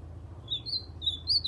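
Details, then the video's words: A captive white-throated seedeater, recorded January 2020, copies an ultramarine grosbeak's song: clear, high whistled notes sliding up and down, about four in under two seconds, over a low hum. "Golinha cantando AZULÃO"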